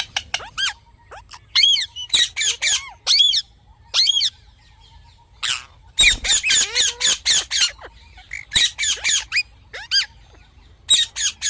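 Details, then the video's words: Rose-ringed parakeet, reportedly talking, utters clusters of loud raspy screeches in rapid volleys, with soft rising whistles between the bursts and brief pauses. "Parrot Talking Natural Sounds"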